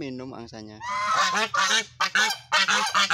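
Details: Goose calls begin with a clear, nasal, wavering note, then break into loud rasping honks repeated about twice a second.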